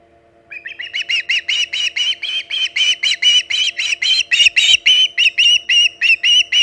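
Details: Arriving osprey at the Hog Island nest, 5:37 am EDT on 13 August 2019; a rapid, harsh, squealing chatter of repeated notes, almost four per second, sustained for six seconds, slightly hoarser than pure whistles.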